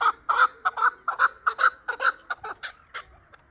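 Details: Chukar partridge from Qavoq, Shurobod, hatched the year before, delivering a brisk series of emphatic clucking chuk notes, about four a second, tailing off softly.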